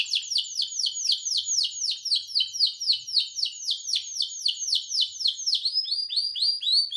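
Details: A young canary learning to sing in the afternoon gives a fast, high series of repeated downslurred chirps, about four per second, rolling on steadily with slight changes in pitch.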